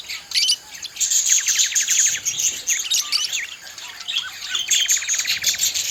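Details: Budgerigar song from pet birds: high, scratchy warbling with several rapid clicking trills of evenly spaced notes, woven through continuous chirping chatter.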